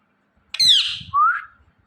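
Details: A single Indian ringneck parrot gives a harsh, downward-sliding screech followed at once by a cleaner rising whistled note.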